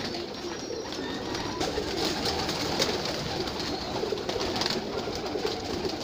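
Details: A flock of pigeons kept on a rooftop cooing together, low throaty murmurs overlapping against a steady hiss.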